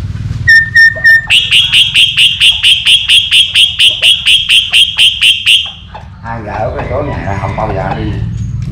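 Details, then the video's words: Myna that likes to play with a rooster, singing: two short whistled notes, then a long run of bright, even whistled pips repeated about four times a second, then fading into soft chatter over a low background hum. "Cưỡng hót"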